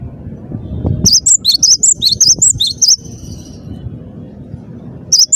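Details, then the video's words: Cinereous tit (gelatik batu) singing: one brisk run of high, clear two-note whistles for about two seconds, then near quiet before a single note returns at the end. "burung gelatik batu gacor dor"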